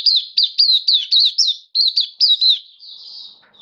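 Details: Kitaro-type Oriental white-eye (Mata Puteh), a hobby bird singing, 27 October 2022: quick bursts of high, thin, bouncing chirps, about four per second, ending in a soft trailing trill.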